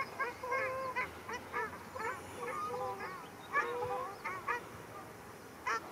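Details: Nasal honks from ruddy shelducks in a fight, recorded 13 February 2021 at Arucas, Gran Canaria: short goose-like calls in uneven bursts, a few longer level honks mixed in, with pauses between groups.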